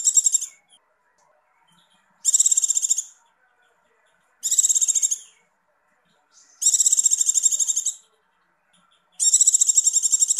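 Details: Female Javan white-eye in breeding condition calling 'icir icir': five short, very high, buzzy trill bursts repeated roughly every two seconds with clean silences between.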